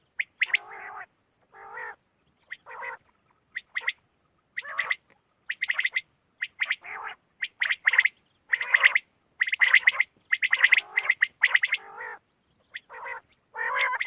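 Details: Quail calls at night for quail hunting: a long run of harsh, chattering, gargled phrases, each a tight cluster of rasping pulses, repeated roughly once a second and growing denser and louder toward the end.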